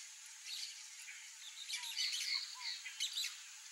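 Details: Peach-fronted Parakeet (Eupsittula aurea) giving harsh, scratchy screeches in quick irregular bursts, about three a second, over a hissy background.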